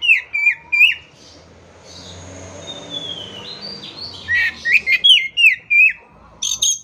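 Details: Kacer, the Oriental magpie-robin, sings in a recording intended to revive stalled birds: a few sweet falling whistles, a soft rising glide, then a dense rapid series of whistled, chipping notes.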